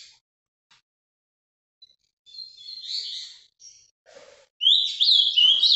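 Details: Ultramarine grosbeak kept by a Brazilian breeder, with scattered soft notes and rustles before a final loud burst of high, sharply sliding whistles in the Paraná vinte vinte song style.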